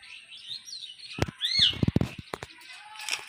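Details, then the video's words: Talking common hill myna, a stocky jet-black bird, gives a few loud, ringing whistles, one sliding up sharply, mixed with sharp knocks and clicks nearby. "Amazing Talking Hill Myna"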